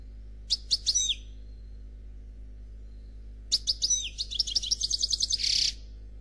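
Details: Flawless Noir Khalwi-style song of a European goldfinch: a brief tinkling phrase, two seconds of near silence, then a long run of fast liquid twitters and repeated clipped notes closing with a grating buzz.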